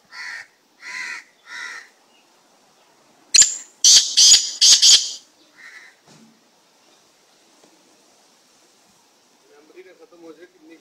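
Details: Black francolin, described as an unusual slate-coloured bird: three evenly spaced harsh notes, then a burst of four loud, raspy, grating notes, one shorter note, and a quiet stretch with faint low sounds near the end.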